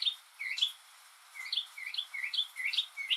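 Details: A solitary northern mockingbird singing on a rainy day, copying other birds and sounds: bright, clear chirps with rising and falling whistled notes, given in quick pairs and triplets with short pauses between.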